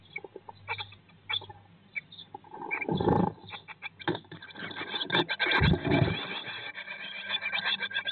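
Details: Eurasian blue tits in a Norwegian nest box in late May 2022, after the chicks hatched on 19 May, give rapid, thin, high chirps, several per second, broken by loud dull thumps and scraping rustles.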